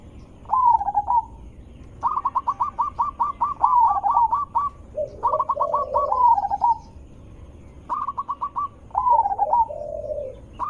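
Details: Loud, melodious zebra dove voice meant to lure other zebra doves. Runs of rapid clipped coo notes end in rolling warbled trills, each burst followed by a pause, with softer lower gurgles between.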